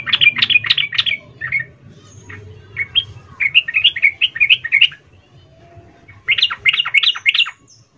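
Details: Female yellow-vented bulbul calling to the male, an excited chattering call used as a lure for reluctant males; rapid bursts of bright, clipped chirping notes in three clusters separated by short pauses, with a faint low rumble behind.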